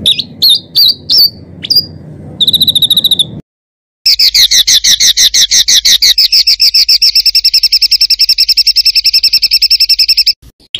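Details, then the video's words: Master recording of a songbird for tutoring contest birds, with rough rolling (kasaran ngeroll) material: several upslurred whistles and a buzzy trill, a silent gap, then a long, steady rolling trill lasting over six seconds. "BURUNG MASTERAN KASARAN NGEROLL"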